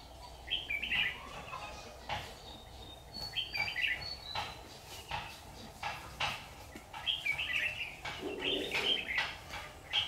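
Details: Decoy red-whiskered bulbul at a trap on 6 August 2019 sings scattered quick, chirpy warbled phrases, with wing flapping, clicks and steady background hiss.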